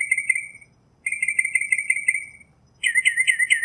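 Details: Northern mockingbird singing outdoors: two sustained buzzy trills, each about a second long, followed by a sharper, higher chattering phrase.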